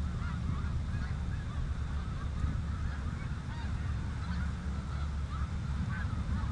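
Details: Snow geese on the Richelieu River, heard as a distant, continuous murmur of soft overlapping honks behind a strong, steady low rumble.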